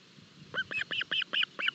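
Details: Nest camera in Barlinek forest, 25 June 2022, Osprey chicks being fed at breakfast: six loud, evenly spaced piping chirps in under two seconds, each a short double-toned whistle.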